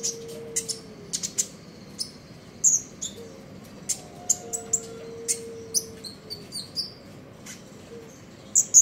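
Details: Common iora delivering trotol ngeriwik song in the morning, with a busy stream of high, sharp chirps and thin whistled notes at irregular spacing throughout, and a soft constant hum beneath.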